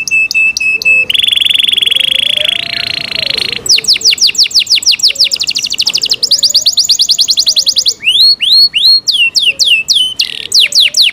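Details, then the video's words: Varied song of a kept Yorkshire canary: clipped chirps, a steady buzzing trill, long runs of rapid falling notes and looping whistles, with a low wavering tone in the background. "Yorkshire canary Nice sound"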